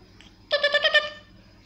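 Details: Pet blue-and-yellow macaw indoors utters a quick burst of five pulsed, nasal syllables run together like a chuckle, lasting about half a second, over a low room hum.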